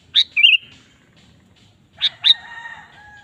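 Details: Sooty-headed bulbul, lure song to set off a kept bulbul: one sharp note with a rolling warble, then two loud notes followed by a sustained, lower, tonal sound; low rumble in the background.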